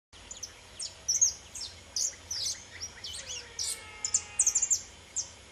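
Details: Saffron finch of subspecies pelzelni, known locally as pardinho, singing free: bursts of high, sharp chirps and short slurred notes in uneven clusters, with a faint, lower, steady whistle in the background.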